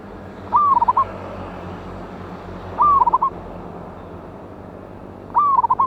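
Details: Loud-voiced wild local zebra dove used as a lure, singing three whistled phrases about two and a half seconds apart, each a sliding opening note followed by a short burst of rapid pulsed notes, with steady background hiss throughout.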